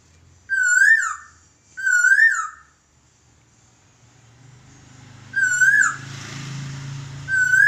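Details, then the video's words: Laughingthrush master song for training birds: two clear whistled notes, each rising then falling, about a second apart, then a pause with low rumbling noise and more whistled notes near the end. "Burung Poksay Masteran"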